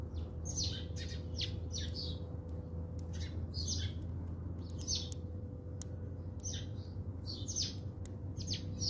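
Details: House sparrows feeding at a feeder in South Africa, giving a busy run of short, bright chirps in quick clusters, several birds overlapping, over a steady low hum.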